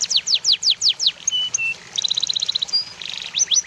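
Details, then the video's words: Masteran of cucak jenggot, cililin and canary: six quick descending whistles, then short flat whistled notes and a fast, stuttering high trill, closing with more rising and falling chips. "masteran cucak jenggot cililin kenari"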